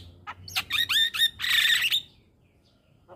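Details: Javan myna tutor song for teaching young birds to sing: a short run of clipped whistles followed by a dense, buzzy chattering burst, then quiet.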